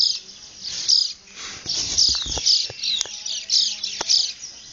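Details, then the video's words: Sunrise bird chorus in the llanos of Barinas, Venezuela, recorded 12 February 2009: pulses of bright high twittering recurring about every second, with a few soft low knocks between. "Canto de aves en un Amanecer en Barinas: Él llano Venezolano"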